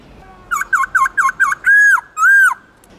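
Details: Black-throated laughingthrush song in wild style, used to train young birds: five quick looping whistles followed by two longer arched whistled notes.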